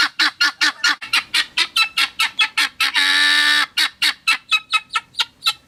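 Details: Helmeted guineafowl on a farm in Hérault, France, behaving naturally without human intervention, giving a rapid series of harsh, grating calls broken once by a longer buzzing rattle.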